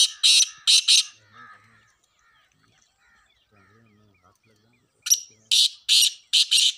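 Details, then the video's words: Male black francolins call in the jungle in a calling contest, as birds are prepared for competition, giving loud, harsh, grating notes in short bursts: two at the start and four near the end; faint voices murmur in the gap. "Males black francolin voice copition in jungle #black francolin kaly teter ki awazain.."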